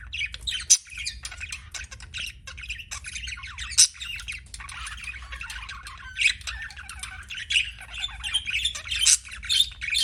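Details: Pet budgerigars chirping in a dense, continuous warble of buzzy notes and rapid chatter, with brief louder squawks scattered through, a low steady hum underneath.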